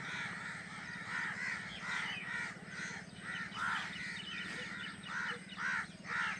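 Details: Newly hatched drongo babies call from the nest for food from their mother. Hoarse, rasping notes repeat about twice a second in a fairly loose rhythm, with a constant low hum underneath.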